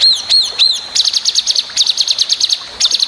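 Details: Long-tailed shrike master song for training other birds, with sharp varied phrases: three slurred whistles, then fast rhythmic runs of clipped high notes rolling in repeated series, about three per second.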